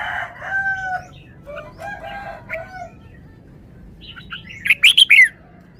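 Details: Red-whiskered bulbul in a wild-style song: a rooster crows first, then a short burst of bright, rapidly rising and falling whistled notes rings out loudly.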